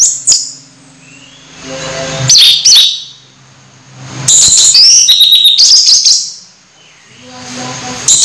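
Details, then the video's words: Orange-headed thrush, almost moulting but singing actively, delivering short high whistled bursts with twisting notes and a longer tumbling phrase midway, separated by quiet pauses. "Anis merah hampir mabung masih gacor"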